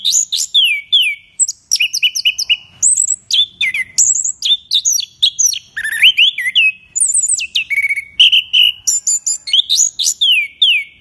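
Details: A champion contest Orange-headed thrush sings a rich, varied, nonstop song of loud clear whistles, slurred notes and quick chattering phrases, all high-pitched, with no other sounds.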